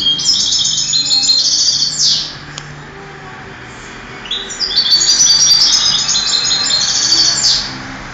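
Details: Singing-contest European goldfinch, 2008, giving two long bursts of dense, liquid twittering, each about three seconds, with trilled tinkling notes ending in a sweeping buzz, separated by a quiet pause with low background hum.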